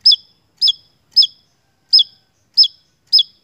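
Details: Vigorous Javan tesia song used as a lure for songbird keepers. Six loud, clipped high notes with a downward flick come in quick succession, with a slightly longer gap in the middle.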